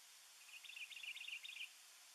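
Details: A Juniper Titmouse (Baeolophus ridgwayi) sings at Brush Hollow Reservoir, Colorado, on March 2, 2019: a quick run of about seven similar high, scratchy notes in just over a second, over a steady faint hiss.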